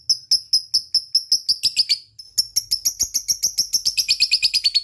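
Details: Lovebird in a long ngekek chatter used to stimulate idle lovebirds to sing: rapid, harsh, high chirps repeated about four to five per second, a brief pause near the two-second mark, then a faster, denser run.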